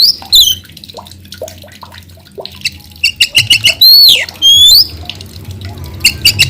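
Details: White-rumped shama singing energetically (gacor): soft low chuckling notes first, then bursts of rapid high ticking notes and loud sweeping whistled phrases rising and falling, repeated in short runs.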